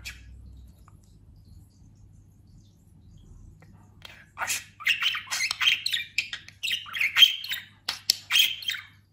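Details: After several seconds of near quiet, a talking pet budgerigar, freshly molted and fat, bursts into fast scratchy chatter with sharp chirps and buzzy squeaks for the rest of the recording.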